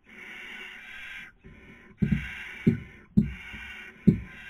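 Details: Barn owl at a nest webcam in Cabañeros National Park, Toledo/Ciudad Real, Castilla-La Mancha, Spain, during the 2020 breeding season: long rasping hisses about a second each, repeated three times, with soft thumps and knocks between them.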